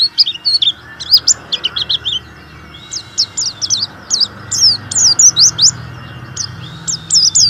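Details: Warbling white-eye, a strongly singing bird used to stimulate other white-eyes to sing: rapid high-pitched chirps and short slurred whistles in quick bursts, twittering continuously with brief pauses.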